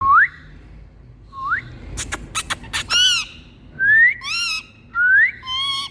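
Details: Indian green parrots calling with assorted sounds: rising whistled notes sweeping upward, a burst of sharp clicking strokes, then harsh wavering squawks with rich overtones, alternating whistle and squawk over six seconds.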